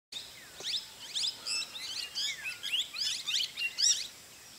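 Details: Common iora (Aegithina tiphia) at Jungle Retreat Resort, Masinagudi, Mudumalai Tiger Reserve, giving bright, high chattering chirps in quick bursts about every half second, with a softer, lower sliding whistle beneath.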